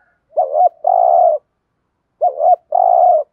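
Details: Caged decoy spotted dove cooing in 'thúc gù' and 'gáy gọi' styles to stimulate wild doves: two phrases, each a wavering double coo followed by a long steady humming coo, separated by a pause of under a second, in a quiet setting.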